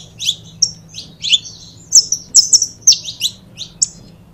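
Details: A pair of saffron finches kept as cage birds: spaced high chirps, several bright clear whistled notes around mid-clip, then quicker twitters; low electrical hum underneath.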